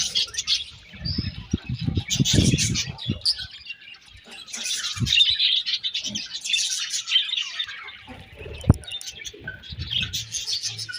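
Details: Budgies warble in bursts of high chattering chirps that swell and fade, with occasional low bumps and handling noises.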